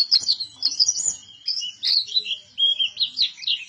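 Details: Pleci buktoni white-eye in full song: loud, high warbling twitters with quick slurred notes and short trills, delivered in tight bursts that run almost without break.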